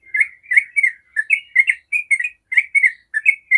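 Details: Rapid 'ropel' song of a yellow-vented bulbul, used as a lure so other bulbuls start singing. Dense chattering notes run almost continuously, with one short gap midway before the bubbly stream resumes.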